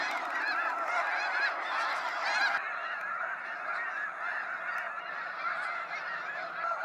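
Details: Waves of snow geese departing Sacramento National Wildlife Refuge at sunset; a loud, crowded honking chorus whose harsher upper edge drops away after a couple of seconds, leaving a softer, steady clamour of many birds.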